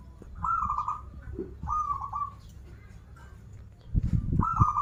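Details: Zebra dove, a local bird, repeating a rolling, slightly wavering coo phrase three times at steady intervals, with low thuds and background rumble in between.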